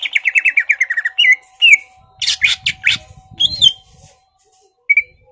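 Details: Greater green leafbird, caged, singing to provoke an opponent to fight: a rapid descending series of about twelve whistled notes, followed by harsh buzzy bursts, a bright slurred whistle and one short final note.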